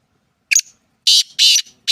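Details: Black francolin, known locally as kala teetar, calling: loud, harsh, grating bursts of sound, the first short, then three longer rasping notes in about a second and a half, with silence between them.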